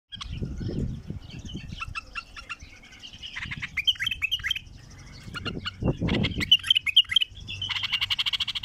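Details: Wild bulbul giving a strong song: bursts of sharp, clicking high notes mixed with short whistled fragments, a louder busy passage near the end, over low rumbling background noise.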